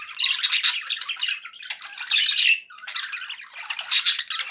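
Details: Budgerigars sounding happy, chirping and warbling in three or four loud raspy bursts with a short pause near the middle, kept indoors as pets.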